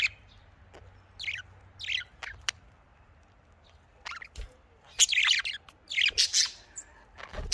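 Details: Australian parrot, or budgerigar, kept for breeding, giving short sharp high chirps, sparse at first, then a denser run of scratchy warbling notes toward the end over a low steady hum.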